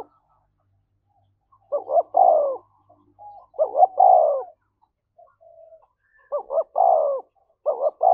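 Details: Spotted dove in thổ-voice style, a decoy bird stirred to coo fast and goad a rival into fighting: four phrases of two quick notes and a drawn-out descending coo, with faint soft notes between them.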